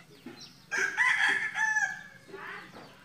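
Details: Red junglefowl kept for breeding in Mukomuko, Bengkulu, crowing: a loud, harsh, harmonic burst rising abruptly, holding about a second, then trailing off, followed by a fainter short call, with soft background chirping.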